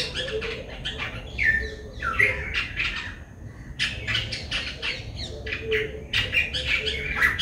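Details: White-bellied drongo in Sri Lanka giving a busy stream of harsh chattering notes mixed with short slurred whistles, rapid and irregular throughout.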